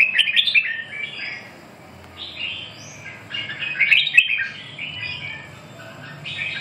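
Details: Red-whiskered bulbul giving a run of quick, lively chirps and warbled notes in clusters, with a fuller burst near the middle and brief pauses between phrases over a low steady hum.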